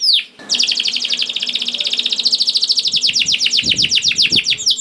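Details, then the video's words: Lively canary singing, used to coax slow-singing canaries into song: after a brief swoop, a long rapid rattling trill of high syllables runs steadily for seconds. A few dull low thumps sound near the end. "KENARI GACOR DOR INI MEMANCING KENARI YANG SUSAH BUNYI JADI IKUT GACOR"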